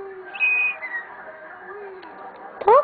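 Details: Pet common starling kept at home, mimicking and singing while acting playful: a clear sustained high whistle, then softer lower gliding whistled tones, ending in a sharp rising chirp, with a person talking nearby.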